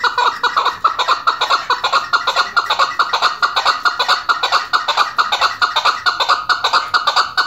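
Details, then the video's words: Female chukar partridge calling: a fast, steady series of sharp clucking notes, a little over two per second, each note bright and ringing, heard in a small indoor space. "chakor ki awaz shikari chakor chakor madi ki awaz female chakor sound voice singing gray partridge"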